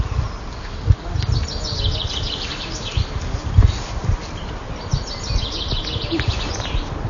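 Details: A common chaffinch in Drumboe woods sings two bright, descending rattles of notes, each ending in a short flourish, a fuller, stronger "down the steps" song than a willow warbler's; heavy low rumble and handling noise underneath.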